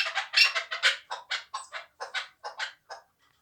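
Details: Two-year-old hand-raised hunting chukar partridge from Tojikobod district, Tajikistan, giving a burst of harsh, clucking notes about a quarter-second apart that fade and slow toward the end, then stop.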